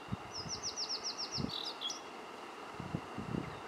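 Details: Blue-and-white flycatcher on Mt. Rokko-san, Kobe, Japan, giving a rapid series of high, sharp, slurred whistles ending in a couple of lower notes, then quiet, with low background rumble.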